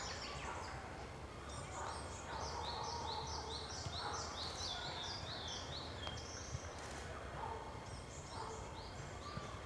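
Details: Blue-and-white flycatcher singing at considerable distance, the season's first encounter: quick runs of high, thin down-slurred notes in a few bursts, over a lower whistle, with a steady rushing background.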